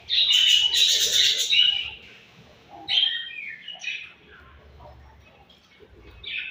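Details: Budgies chirping at morning food time: a loud two-second run of rapid warbled twitters and whistles, then scattered short chirps over quieter background chatter.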